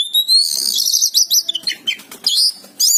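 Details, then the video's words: Oriental magpie-robin in full, vigorous song: a long rising whistled opening, then a dense run of rapid, sharp, high chirps and trills with brief pauses, ending in a bright whistled burst. "suara burung kacer gacor"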